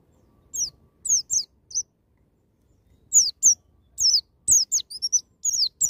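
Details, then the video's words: White-eye singing 'ngalas nembak', wild-style bursts used to stimulate young birds: high descending chirps in a short run, a pause of over a second, then an accelerating chatter of slurred and level high notes. "BURUNG PLECI NGALAS NEMBAK"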